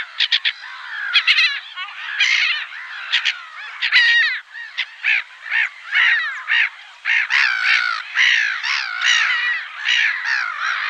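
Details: Black-headed gull calling: a dense run of harsh, grating squawks and yelps from several birds overlapping, with hardly a pause between calls.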